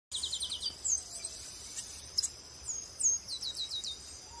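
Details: Chestnut-capped blackbird from Brazil singing: a quick run of high, downslurred notes at the start, a few scattered chips, then another rapid series of descending notes, over a steady high insect-like hiss.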